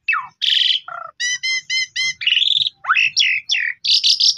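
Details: Asian pied starling singing to provoke another bird: a falling sweep, a buzzy burst, a series of five evenly spaced ringing notes, then rising and falling whistles ending in a harsh burst.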